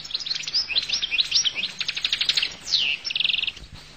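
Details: Goldfinch song, a lively stream of high tinkling twitters, a fast buzzy trill of evenly repeated notes, a slurred whistle and a closing rapid rattle.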